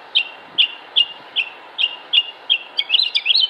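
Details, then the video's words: A Northern Mockingbird (Mimus polyglottos) sings in Concord, North Carolina, United States, on 7 June 2016, repeating a bright, chirpy note about eight times, roughly every half second, then breaking into a quick jumble of varied high notes. "Northern Mockingbird Songs"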